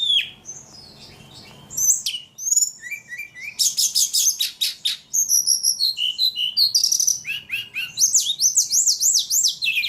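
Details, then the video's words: Ledekan singing vigorously: scattered high whistles building into dense buzzy bursts and quick chirps, ending in a rapid warbling series of rising and falling notes. "Burung ledekan paling gacor"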